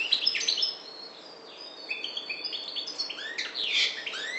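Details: Softer goldfinch song, subspecies parva from the Maghreb: slurred high notes and quick chirps, with a brief lull before a louder buzzy flourish.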